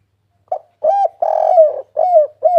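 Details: Spotted dove (tekukur) in a lively calling bout used to lure other doves into calling: a short clipped note, then a series of mellow, hollow coos, the longest one slurring downward, in a quiet setting with no other sounds.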